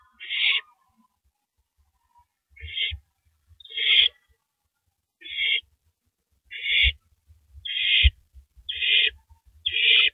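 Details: Owl eating a large rabbit at 3:33 AM on April 9, 2012, gives a string of eight short, harsh hisses at uneven intervals, mixed with low bumps and scraping sounds.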